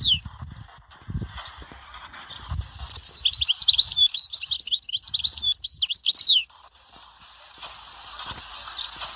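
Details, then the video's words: European goldfinch singing in the Dahouara sector style from Souk Ahras, Algeria: a dense burst of high, rapid twittering notes and buzzy trills lasting about three seconds, framed by quieter hissy background and soft low thumps. "تغريد حسون سيكتور الدهوارة سوق اهراس"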